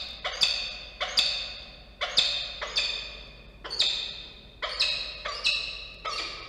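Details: Peregrine falcon pair at a nest in Orange, New South Wales, Australia, on 21 December 2023, raising an alarm over a possible intruder: harsh, loud, grating calls repeated roughly once a second, some doubled, with steady background hiss.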